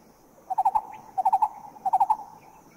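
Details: Green-eared Barbet recorded in Thailand: three short bursts of four rapid, low, hollow notes, evenly spaced, over quiet background.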